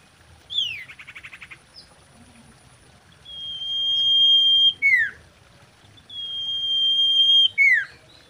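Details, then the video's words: Common iora in mating song, used as a lure to prompt other ioras to sing: a short buzzy rattling trill, then two long, steady high whistles, each ending in a sharp falling slur, about three seconds apart, over faint low background rumble. "SIRTU GACOR KAWIN"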